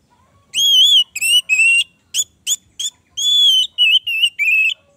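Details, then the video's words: Rich whistled song of an Orange-headed thrush: long wavering fluty notes alternating with short sharp ones, then a quick series of slurred whistles, with almost no background noise. "pancingan Anis merah macet bunyi"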